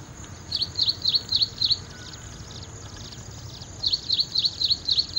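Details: Ashy prinia giving two quick series of five or six bright, high, evenly spaced chip notes, divided by a three-second gap, with a constant high-pitched background hiss.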